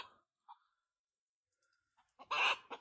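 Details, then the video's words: Chicken heard crying out from below in panic at a mountain home; faint scattered sounds, then a short, harsh, loud squawk near the end followed by a softer trailing note. "Puis j'ai entendu le poulet crier en dessous"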